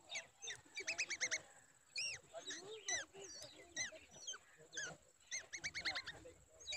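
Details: Babbler calling in alarm as the mother tries to protect her endangered chick: dense rapid chatter of curved, harmonic-rich notes, often in quick runs of four or five, nearly continuous throughout.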